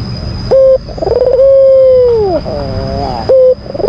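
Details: Albino Barbary dove, a white caged bird, calling to provoke a rival: a short flat coo, then a long steady hum that sags lower at the end, followed by a softer wavering note and another short coo. A constant high electronic whine runs throughout.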